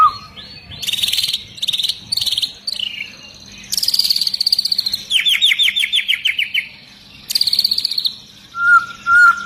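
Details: Excited long-tailed white-rumped shama pouring out high 'tembakan' song: very high, buzzy bursts, a descending rattling trill of rapid notes, and at the end a few low, clear whistles.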